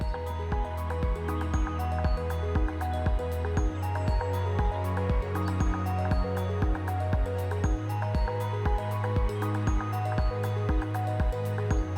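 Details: Steady instrumental music with a strong bass beat and sustained tones plays throughout, with no animal sounds.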